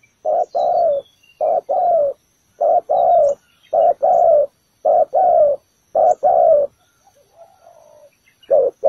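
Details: Decoy spotted dove at a ground trap, calling to attract other doves: six evenly spaced phrases of low hollow coos, each a brief note followed by a longer slurred one, about one phrase per second, faint twittering behind.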